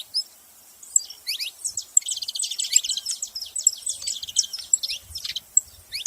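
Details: A flock of saffron finches keeps up a busy, overlapping chorus of high buzzy chirps and short downward sweeps, thick and continuous through the middle.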